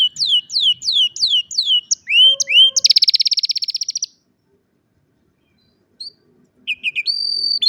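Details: Canary singing, recorded on a cellphone: a loud, varied song of rapid descending whistled notes, a fast buzzy trill of repeated notes, then a pause before clear high whistles resume.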